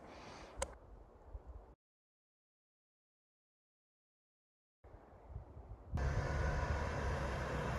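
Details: Low vehicle rumble and wind buffeting, broken by a stretch of near silence, then a louder surge of wind noise; no animal voices.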